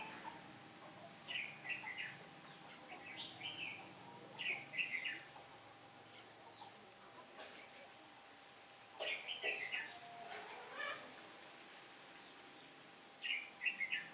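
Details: On 15 October 2017, a day of shifting wind, a red-whiskered bulbul sings as a trap decoy luring wild birds. Clusters of quick chirpy phrases recur every few seconds amid quiet outdoor background and faint voices.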